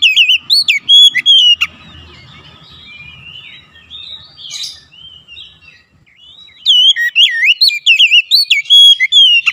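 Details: Oriental magpie-robin singing to provoke other magpie-robins: bursts of loud, rich whistles, twisting slurs and sharp notes at the start and end, with a quieter, softer warbling passage between.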